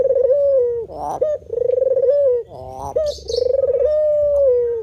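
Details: White spotted dove giving drawn-out low coos separated by rough, rising stutter notes; a brief high chirp sounds once near the middle.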